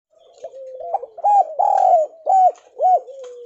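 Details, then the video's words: Spotted dove, Javan type, cooing as a lure to make lazy doves call: arched, hollow coo notes in quick bursts, a soft sliding undertone between them, a few faint higher chirps. "Deruk Terkukur Gacor!! [ cu gáy jawa ] Chim cu gáy gọi kích bổi nhanh nổi hiệu quả mới nhất"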